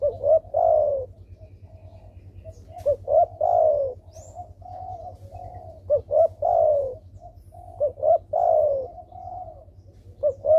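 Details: Lively spotted dove used to prompt silent doves into calling: about four phrases of short rising hoots and long rolling downward coos, delivered in a steady cycle against a low mechanical hum.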